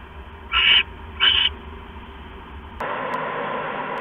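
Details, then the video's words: Wild owls flying outside at 6:04 in the morning on 19 October 2015: two short, harsh, hissing screeches about 0.7 seconds apart, followed by a steady rushing background noise with a couple of sharp clicks. "Owls Flying Outside!"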